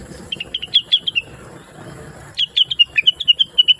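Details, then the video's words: Blue-winged leafbird (rengganis, cucak wilis) singing chatty and melodious as a tutor recording for trucukan and other birds. Two bursts of quick, sweet chirped notes with a pause between, over a faint low hum. "Rengganis / Cucak Wilis Gacor Cerewet Suara Merdu || Masteran Terbaik untuk Trucukan dan burung lain"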